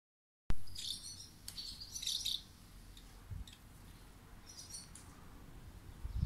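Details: At a roadside station in Kazuno, Akita, Japan, swallows give quick, high twittering chirps in short bursts over a steady low rumble.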